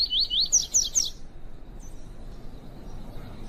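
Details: Female double-collared seedeater "tui tui" call for heating up a male's song in training: two wavering, whistled notes followed by three brighter, higher descending notes, delivered rapidly, then quiet with a faint steady hum.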